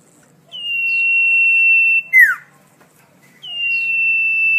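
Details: Common iora, known locally as cipoh, sirtu or sirfu, singing a melodious song used for tutoring songbirds: a long, level, pure whistle held over two seconds, a quick falling slurred note, then another long steady whistle.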